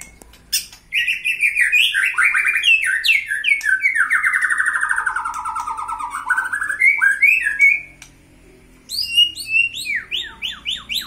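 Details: White-rumped shama, a kept bird provoked to anger for fighting practice, gives a long rattling song that slides gradually lower and then rises again. After a short pause, a quick series of high whistled slurs follows.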